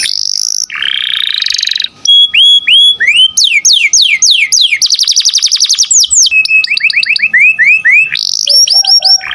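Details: Canary singing loudly and continuously as a model for training songbirds, with a buzzy low trill, sets of rising whistled notes, rapid downward sweeps, a dense high trill and varied chirps, each phrase a different pattern.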